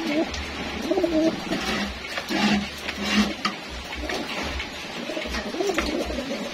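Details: Racing homing pigeons at feeding time give soft, low, rolling coos that overlap and repeat every second or so, over a steady low hum and shuffling, clattering noise indoors.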